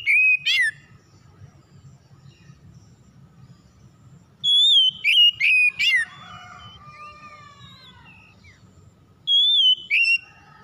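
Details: Oriental magpie-robin song for provoking other magpie-robins to sing: three bursts of loud whistled phrases, each a long clear whistle then quick falling notes and buzzy slurs, with softer trailing whistles and a low hum between bursts.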